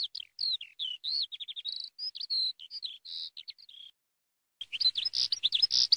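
Eurasian skylark song: a fast, unbroken run of high chirps, trills and rapid slurred notes. It pauses briefly, then resumes in a denser, more scratchy burst.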